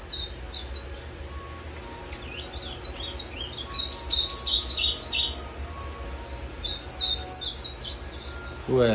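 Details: Captive ultramarine grosbeak, kept for five years and said to sing all day, delivering several phrases of quick slurred whistles and warbled notes, with faint background tones and a thump at the end.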